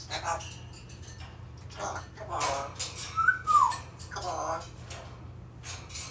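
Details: African grey parrot talking, mimicking speech and calling out the name Barack Obama: short speech-like syllables in bursts, with a bright whistled note that rises then slides down midway, over a steady low indoor hum.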